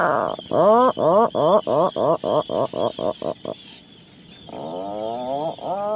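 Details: Series of roughly thirteen loud, rhythmic grunting pulses from an Atlantic puffin, each rising sharply, then a brief quiet spell and a long, rising, groaning moan, close and clear.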